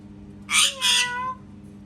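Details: A single parrot cat imitation: a harsh squawked start that runs into a long, steady, nasal meow-like tone, with a soft low hum behind it.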